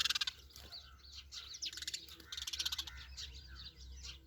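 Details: Sparrows chirping: many short, high, overlapping chirps and rapid pulsed chatter bursts, densest at the start and again midway, over a low steady hum.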